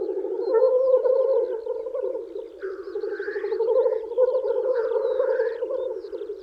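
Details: Lekking male black grouse in spring, displaying to females: loud rolling bubbling, broken twice by harsh hissing whooshes, with faint high bird calls.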